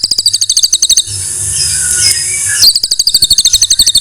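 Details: White-rumped shama song used for tutoring other songbirds: fast even rattling trills of high notes, broken by a long harsh hissing stretch, then the rapid trill resumes.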